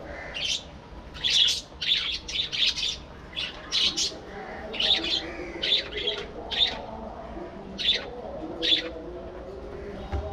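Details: Budgerigars kept as a breeding colony flock in an aviary, uttering scattered sharp chirps and squawky notes at irregular intervals, with soft chatter and low background hum between them.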